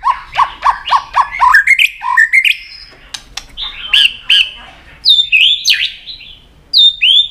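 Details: White-rumped shama fighting song, the bird tail-flicking to provoke a rival: a fast series of repeated, stepped notes climbing in pitch, then loud, varied whistles with ringing high phrases.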